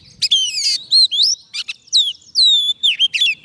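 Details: Soft-food-fed Oriental magpie-robin singing to call forest birds: clear descending and rising whistles mixed with brief scratchy trills, phrases following each other closely.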